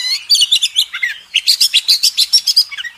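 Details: Oriental magpie-robin (kacer) tutoring song for contest birds: rapid bursts of bright, high chirping notes in two quick phrases, each a string of about ten crisp repeated syllables with a short pause between.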